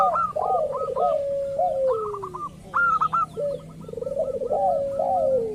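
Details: Local zebra dove luring rivals to call back: fast stuttering note runs trade with low burbling trills and downward-sliding coos, with several doves overlapping throughout.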